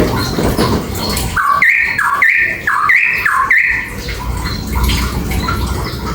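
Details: Papuan beach bulbul singing a loud, penetrating song: four repeated two-part whistled phrases, each a lower note jumping to a higher held note, about every 0.6 seconds, over a steady background hiss.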